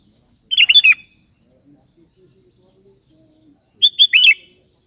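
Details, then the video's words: Sooty-headed bulbul calling to companions, two short bubbly phrases of slurred, rising and falling whistled notes about three seconds apart, with quiet background between them. "Suara Burung Kutilang Gacor Memanggil Teman"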